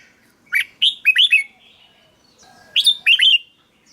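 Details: Red-whiskered bulbul, caged-bird stimulation song: a phrase of four or five clear looping whistles, then after a pause a shorter similar phrase; quiet background.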